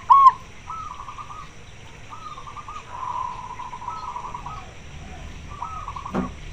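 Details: Local zebra dove with a loud voice calling for a mate, summoning males; a sharp opening note, then several soft, rolling trilled coo phrases separated by short pauses, with a faint click near the end.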